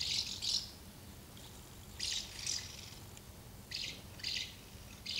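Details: House martins crowding two nests while feeding young, 24 August 2012; paired high chirps repeated in bursts about every second or two, quiet gaps between.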